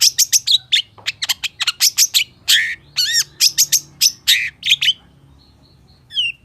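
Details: Long-tailed shrike in chirpy 'gacor full isian' song style: a quick run of sharp, high chirps and short notes, some with downward slurs, delivered in rapid bursts for five seconds, then a pause and a single brief note near the end.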